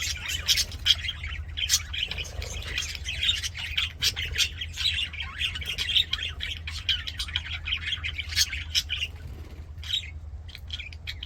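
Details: Budgerigars singing and playing in an aviary, a dense flock chatter of rapid chirps, squawks and warbling notes, continuous throughout with a steady low hum underneath.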